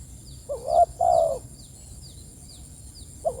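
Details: Spotted dove calling to its companions: one full cooing phrase, a short hooked note then a sustained hollow coo, with another phrase beginning at the end; faint high twitters and a continuous electronic whine behind.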